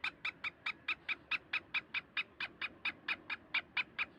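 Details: Black francolin in Sindh, Pakistan: a steady run of short, evenly spaced harsh clicking notes, about two per second, with a faint background hiss.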